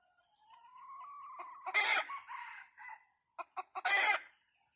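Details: Red junglefowl crowing during a junglefowl trapping outing: a thin rising tone climbs first, then two loud, harsh, broadband crow bursts about two seconds apart.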